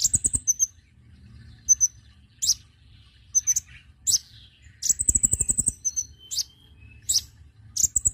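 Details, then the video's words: Konin bird used as a lure sound to attract birds: very high, thin chirps and short buzzy trills, with a rapid run of sharp ticking notes near the middle, over a faint low hum. "pancingan bunyi burung Konin"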